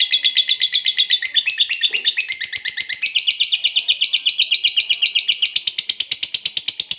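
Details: Fighter-type lovebird performing its long ngekek: a relentless, rapid chattering trill of shrill buzzy pulses, about seven each second, shifting slightly lower in pitch after the first seconds and continuing without pause.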